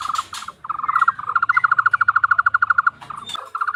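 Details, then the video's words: Tohtor bird producing a frog-like call: a quick rattling series of about thirty mid-pitched pulses in steady rhythm, with a few short bursts before and after and a scratchy noise near the end. "burung tohtor suara mirip kodok"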